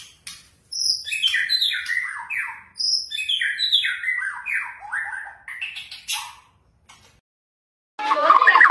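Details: Lure recording of white-rumped shama song to trigger singing: a rapid cascade of short, downward-slurred notes, several per second, stepping gradually lower, then silence and a final burst of noise.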